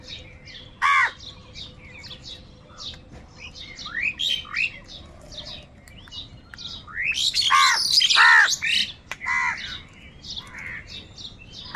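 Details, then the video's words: Crows in huge numbers squabbling over food: loud, rasping caws burst out near the first second and again around eight seconds, set among dense, fast high-pitched chirps and squawks from a crowded gathering of birds. "Huge numbers of crows crowing and crying sounds | crow sound of kaka | কাকের ডাক Crow sounds"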